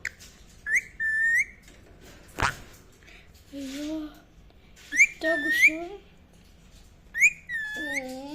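An Indian ringneck parakeet gives bright, rising-then-level whistled chirps in short bursts every couple of seconds, with lower warbling notes and a single sharp knock.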